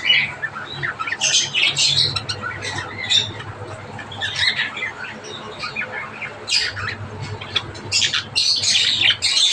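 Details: Java sparrows giving bursts of squeaky, high-pitched chirps and chatter in clustered runs with brief pauses, over a low steady hum in the background.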